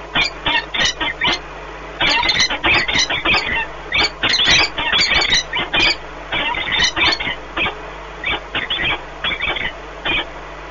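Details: Peregrine falcon pair bonding at their nest in Płock, Poland, on 1 March 2019; bursts of loud, raspy cackling notes in quick runs separated by brief pauses, fading to sparser calls at the close.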